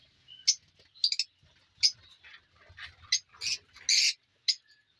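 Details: Lovebirds in a newly formed aviary colony of ringed birds giving sharp, shrill chirps and squeaky notes in short irregular bursts, some doubled or clustered, with a louder harsh screech near the end and quiet background between calls.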